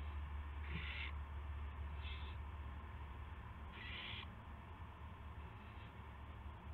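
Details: Evening owl recording from March 18, 2016, 8 PM, with a gopher being brought to its mate: three rough hissing screeches, the last longest and strongest, plus a fainter trailing hiss, all above a deep continuous hum.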